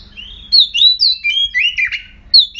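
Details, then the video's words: Aggressive oriental magpie-robin, described as tail-spreading, singing as a lure to provoke other magpie-robins: clear whistled phrases, some sliding up and others down, given in quick bursts separated by short pauses, with a faint low hum beneath. "Murai Kampung Galak - Denak Murai Cacing - Pancingan Kacer Gacor Langsung Bunyi - Chòe Than Hót"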